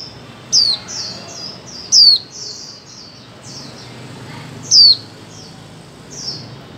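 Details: Female white-eye whose calls are used to stir mute birds into song: three sharp, high notes falling in pitch, with softer chirps in between over constant faint noise.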